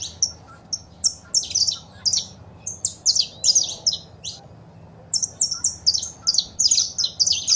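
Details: Saffron finch, female calls and a singing male meant to excite pet birds; bursts of rapid high chirps and buzzy notes, a pause near five seconds, then another dense run.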